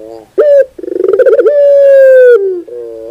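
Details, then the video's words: A single phrase of puter bird (collared dove) song: a sharp short coo, a fast accelerating series of throbbing pulses, then one sustained, slightly falling drawn-out coo ending in a soft low note. "your puter bird will definitely sound"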